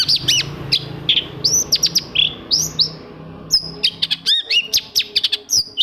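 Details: Long-tailed shrike song meant to prompt silent shrikes to sing: high sweeping whistles and looping slurred notes, then a fast series of sharp, piercing chips and upward-flicking calls, over a faint low drone.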